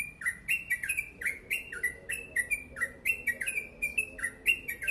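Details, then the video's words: Yellow-vented bulbul singing a long rapid 'ropel panjang' song: quick chains of bright slurred whistles, some rising and some dropping, packed closely with crisp high clicks, a faint low hum underneath. "Crucukan ropel panjang gacor sped rapat"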